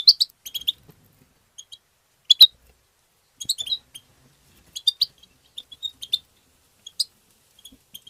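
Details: European goldfinch twittering in the chattering style called tabtaba, used to stimulate other goldfinches: short scattered bursts of high metallic twitters and tinkling notes with brief silent gaps.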